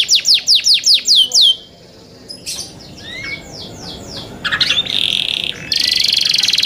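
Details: Young canaries (Serinus canaria) kept in captivity sing a quick run of about seven steeply falling whistles, then varied chirps, a buzzy held trill and a fast rattling trill at the end.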